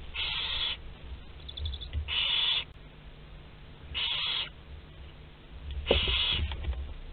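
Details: Barn owls filmed on a nest-box webcam at Théding, 27 April 2021, with a prey animal walking inside. Four long, harsh, hissing screeches come roughly every two seconds, with faint scratching between them.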